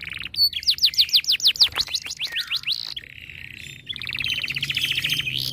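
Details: Breeding-condition canary, aggressive when other birds call: about a dozen looping whistled notes repeated several times a second, then a low buzzy trill and a bright rapid rattle.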